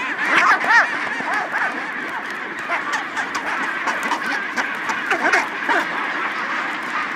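A dense colony chorus of chinstrap penguins: harsh, braying, honking calls overlapping several times a second, with no other clear sounds.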